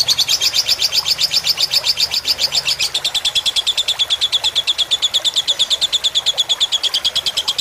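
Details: Fighter-type lovebird song from a tutor recording for caged birds, mixed with gently trickling water. It is a steady, rapid string of piercing high chirps that pulse evenly and continue without a break.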